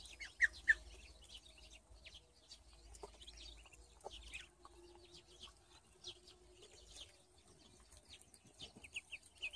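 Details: Muscovy ducks on a duck farm: a busy flock of high, thin peeps and chirps overlapping several times a second, over a faint low steady hum.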